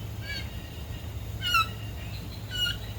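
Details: A male Raggiana bird-of-paradise courting an interested female gives three loud, nasal, slightly downslurred calls about a second apart, over a steady low rumble.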